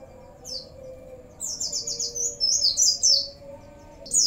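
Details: Oriental white-eye singing in the 'CiLiLin sambung bren cigun' fill style: rapid, very high thin twittering notes in tight descending bursts that grow busier toward the end, over a steady low hum.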